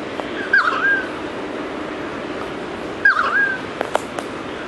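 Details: A Pied Currawong calling from up in a tree, unseen, gives two ringing, mid-pitched calls about two and a half seconds apart, each with a quick rising start and drawn-out level tail; other currawongs are around. A few faint clicks follow.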